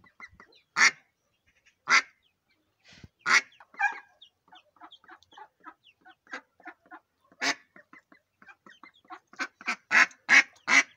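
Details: Mallard hen with day-old ducklings: loud, harsh broadband quacks spaced one to two seconds apart, then a quick run of quacks near the end, with soft, high peeping notes scattered between them.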